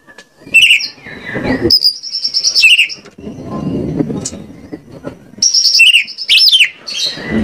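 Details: White-rumped shama song serving as a lure to get birds singing: high whistles and buzzy notes, then a stretch of low rumbling, then loud rising and falling whistled phrases mixed with rattles.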